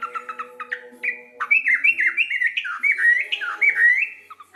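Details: Local sooty-headed bulbul in full lively song: clipped chirps, then a quick run of bubbly slurred whistles rising and falling, closing with a few short notes.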